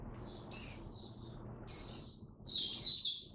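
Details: Three short bursts of high, thin twittering come from a caged oriental white-eye fed for cold, rainy weather, spaced about a second apart over a steady low background hum.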